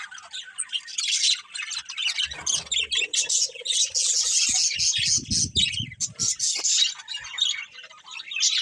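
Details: A crowd of birds chirping in the morning, busy high-pitched tweeting and chattering notes, with a few soft low knocks and a short humming tone partway through.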